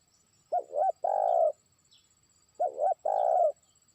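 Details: Spotted dove, a trained decoy bird, calling to challenge a rival far away: a brief two-part hooting lead-in then a drawn-out purring coo, repeated twice about two seconds apart, over a quiet background.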